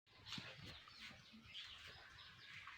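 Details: Silkie chicks on a poultry farm in Darrang, Assam, peep in high, thin chirps, several overlapping, against a steady hiss of background noise.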